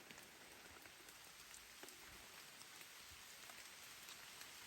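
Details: Steady rain patters on a surface throughout, with dense scattered drop impacts and no animal voice audible.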